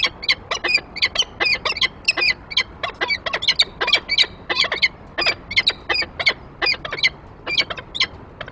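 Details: On 28 February 2023 a male peregrine falcon carries prey onto the nest grate, trailed by the female: quick runs of harsh, whining calls, some doubled, continuing steadily for eight seconds.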